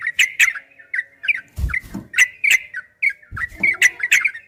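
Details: Yellow-vented bulbul in long ropel training song: spaced bubbly chirps and slurred notes, crisp clicks, and two low thumps in the middle stretch.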